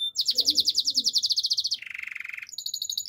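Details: Canary singing a fast pulsing high trill for nearly two seconds, switching abruptly to a lower rattling roll, then a thin high trill; faint low murmur in the background.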